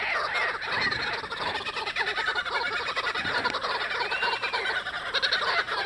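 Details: At Carnarvon Gorge, kookaburras squabble over a lizard with dense, continuous, harsh cackling, some rising and falling laugh-like notes, and steady background hiss.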